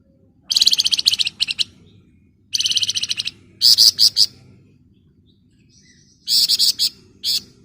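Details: Flamboyan singing in the dense 'ngebren rapat' and 'nyerecet' style: four rapid, buzzy, high-pitched trill bursts, each about a second long, separated by short pauses, with faint low background hum.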